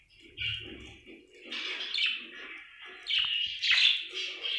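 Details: Happy budgerigar giving continuous rasping, chattering chirps that swell louder toward the end, with a soft low thump near the start.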